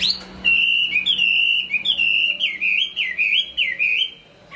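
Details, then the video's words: Chinese hwamei singing well, a bird from Hai Phong: a long sustained clear whistle broken into wavering, dipping notes, steady in pitch and loud throughout. "Họa mi hót tốt"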